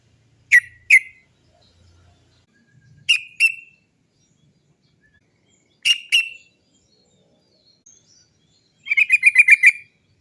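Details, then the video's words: Sooty-headed bulbul (trucuk) giving its 'cok cok cok' song, used as a lure to make other trucuk birds sing: three pairs of sharp, clipped notes a few seconds apart, then a fast rolled burst of about seven notes near the end. "TRUCUK GACOR ROPEL PANJANG... suara cok cok cok ngerol PANCINGAN burung trucukan agar cepat bunyi"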